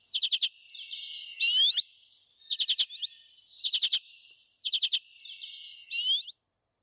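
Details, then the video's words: An Arctic redpoll gives quick dry chattering bursts of four or five notes, alternating with buzzy rising twitters, high-pitched and repeated every second or so. "Pintarroxo do Ártico - Pintarroxo-boreal"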